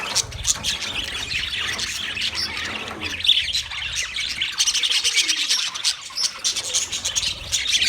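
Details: Constant high chirping and squeaky twittering from a crowd of wild budgerigars, briefly dipping around the middle before rising again.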